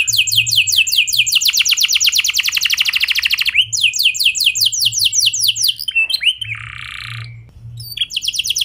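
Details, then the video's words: Canary song, clear and rolling, meant to stir other canaries into singing; long rapid trills of rising sweeps, broken by a brief buzzy note, then trilling resumes. "Pancingan Efektif Banyak Burung Kenari Cepat Ikut Gacor Dengan Suara Kenari Gacor Ngeroll Jernih Ini"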